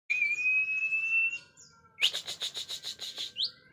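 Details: White-rumped shama in song: a long, steady, slightly rising whistle, then a quick series of harsh, rattling pulsed notes, each strongly broken up.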